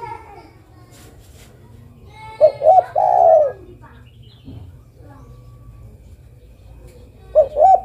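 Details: Female zebra dove calling a male, with a full phrase of two short coos and a long coo, then a second phrase starting near the end, amid faint clicks and background noise.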